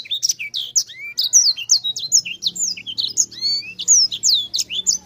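A Sanger pours out a fast, unbroken run of sharp, high whistles and chirps, many rising or falling, with only tiny gaps. A faint low hum sits underneath.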